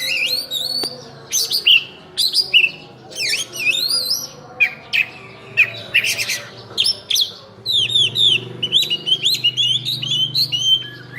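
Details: Vigorous kacer song packed with fill-in phrases: a string of loud varied whistles, buzzy notes and quick high trills delivered almost without a break, with a low hum audible toward the end.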